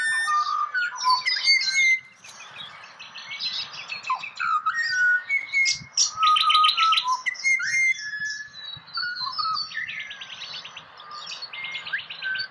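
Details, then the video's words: Pied butcherbird song from Australia: clear whistles dropping and rising in short bursts, set against rapid rattling twitters from a flock of other birds. "Serenaded by Pied Butcherbird"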